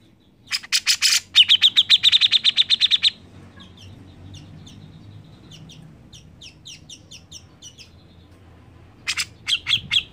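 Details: A constantly singing grey-cheeked bulbul, used as a lure to get other birds singing. A loud, rapid burst of about twenty harsh clipped notes fades into faint chatter and returns with a few strong notes at the end.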